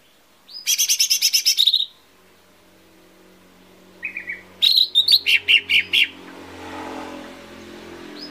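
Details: Lesser green leafbird song used as a lure to get birds singing quickly: a rapid buzzy trill of about a second, a pause, a brief phrase, then a run of about seven sharp, evenly spaced notes over a faint background hum.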